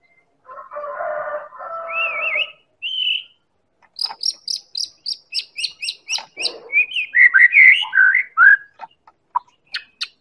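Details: White-rumped shama of the Medan type, recorded as a lure to draw other birds into song: a harsh rasping burst, then rising whistled slurs, then a rapid run of sharp high ticking notes, closing with fluid warbled phrases.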